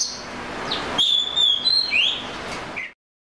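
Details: Oriental magpie-robin song of clear whistled notes: a sustained level whistle, a higher steady note, then a quick rising slur and a short lower note, over a hissing background.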